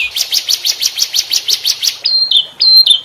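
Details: Canary singing as a tutor recording for other canaries: a quick run of about eleven chirped notes, then three longer level whistles at high pitch.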